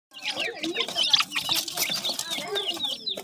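A brood of pheasant chicks keeps up a dense chorus of thin, high peeps and short chirps, overlapping almost without pause.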